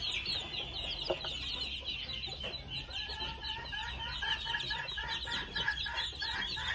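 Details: Thin, high peeps from many two-month-old red junglefowl chicks blend with lower, repeated clucking notes that rise in frequency through the second half.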